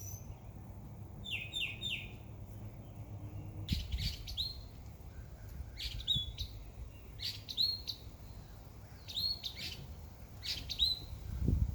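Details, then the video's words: Bird chirping in a summer backyard: a quick trill of high notes, then short sharp chirps repeated about every one to two seconds over low background rumble and scattered clicks. "Birds Chirping Sound"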